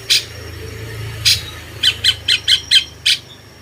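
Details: Caged cucak cungkok bulbul kept as a master bird for training champion songbirds, giving harsh, broadband squawking notes: two spaced bursts, then six quick rasping notes in a row, over a low steady hum.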